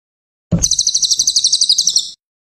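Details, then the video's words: Training audio of a cililin: a soft low thump, then a bright, rapid trill of about fifteen evenly spaced high notes, fading slightly near the end. "Audio Masteran Burung Cililin"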